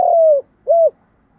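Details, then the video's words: Decoy spotted dove calling to attract wild doves. The tail of a phrase: a long, slightly hoarse coo gently falling in pitch, a pause, then a shorter arched coo. Nothing else audible. "Chim Cu Mồi_ cu gay giong tho cuc dinh"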